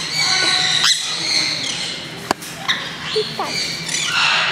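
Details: Several green-cheeked parakeets at Kakegawa Kachoen, Japan, being let into the turaco and spoonbill plaza for the first time. They make scattered rasping squawks and short descending chirps, with a sharp click midway and faint background voices.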